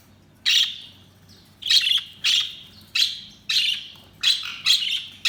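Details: Budgerigars chirping: seven or eight short, bright, buzzy chirps spaced roughly every half second to a second, each a quick burst of noisy high notes, over a faint low hum.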